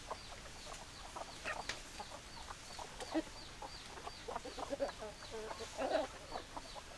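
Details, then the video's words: Hens clucking in loose, irregular bursts, louder at times, with a faint high chirp repeating steadily behind them. "Chicken Sounds Noises Hens Clucking Roosters Crowing"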